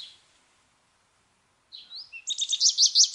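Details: American goldfinch after near silence: a rising slurred whistle, then a fast, steady series of high, clipped chattering notes.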